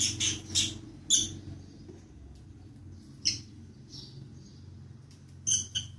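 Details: Pet lovebirds, two of them, at the start of their day: bursts of shrill squeaky chirps, some in quick pairs, over a steady low indoor hum.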